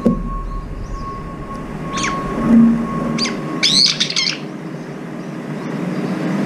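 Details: Brown-eared bulbuls, up to five gathering at a morning feeding spot and sometimes squabbling over the food, give a few harsh high calls with rising and falling strokes, scattered over a noisy background with a steady low hum.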